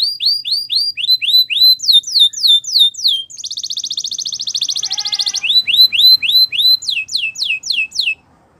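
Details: Belgian canary singing: a run of bright, downward-sweeping whistled notes at about four per second, breaking into a fast, even buzzy trill for two seconds, then returning to repeated descending sweeps. Background otherwise quiet.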